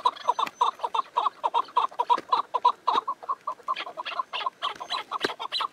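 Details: Nearly six seconds of steady chukar partridge clucking: repeated throaty chuck notes in an even series, loud and near, with a few sharper clicks late in the run.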